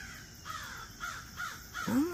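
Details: In Hixson, Tennessee in September, at the end of the hummingbird season, crows give harsh, hoarse caws about every half second in the background, and a person's voice speaks near the end.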